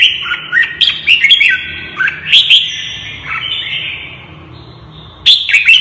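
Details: Red-whiskered bulbul kept in a cage and stirred to fight, singing heated, rapid whistled phrases of rising and falling slurs, fading to a softer stretch before a sudden loud burst at the end.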